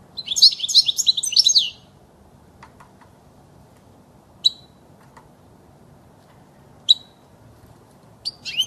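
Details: European goldfinch song played for young birds to learn: a rapid, liquid, twittering phrase of tinkling high notes for nearly two seconds, followed by single sharp chirps spaced a few seconds apart.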